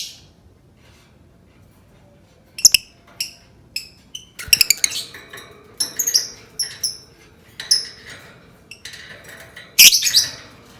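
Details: Lovebird chatter for prompting other lovebirds to sing: scattered high squeaky chirps and clicks over a faint hiss, busier toward the end with a loud harsh burst.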